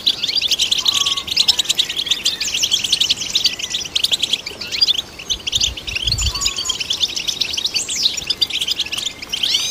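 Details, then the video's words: European goldfinch song to stimulate goldfinches: nearly ten seconds of fast, high twittering with trilled buzzes and a few upward-sweeping whistles, briefly pausing once, faint low bumps around the middle. "Golden Songbird vocal performance to stimulate the goldfinch"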